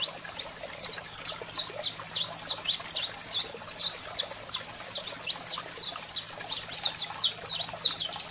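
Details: Singing male saffron finch with a calling female, a recording to fire up birds; dense, energetic chatter of sharp high chirps and clipped notes pouring out almost without pause, faint low hum behind.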